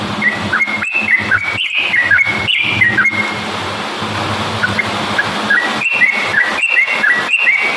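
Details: Yellow-vented bulbul in lively song for provoking other bulbuls: bursts of quick whistled notes at the start and end, a faint stretch between, all set against steady hiss and low humming noise.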